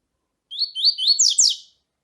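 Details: Double-collared seedeater, a male's song paired with a female calling to excite it: a quick phrase of about five high, sliding whistled notes over one second. The notes grow louder and end in two strong downslurred buzzy notes; background silent.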